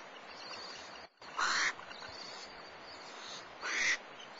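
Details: A barn owl at Starr Ranch on 1 March 2011, as the male returns to the nest with breakfast, gives two harsh, hissing screeches about two seconds apart, each lasting a third of a second, over a steady background hiss.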